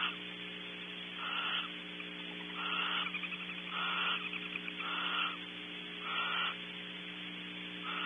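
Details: At Audubon Starr Ranch, California, barn owls in a nest cavity during a shared mealtime make a rhythmic series of harsh, noisy hisses. Each lasts about half a second and comes roughly every 1.2 seconds, with a steady hum behind.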